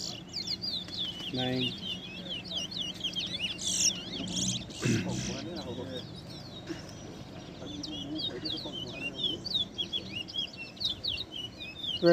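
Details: Two towa towa birds sing against each other at a 2021 contest in Essequibo, Guyana; rapid high twittering phrases continue under loud voices, with a man counting strikes aloud.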